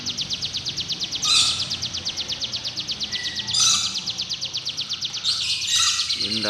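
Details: Sunda warbler delivering long, fast, even trills of high-pitched pulsed notes, broken by short louder buzzy bursts every couple of seconds.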